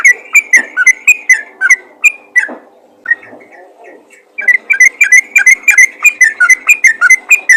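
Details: Yellow-vented bulbul calls directed at other bulbuls: quick repeated liquid whistles, a lull with softer scattered notes around three to four seconds, then the rapid chirping run returns strongly.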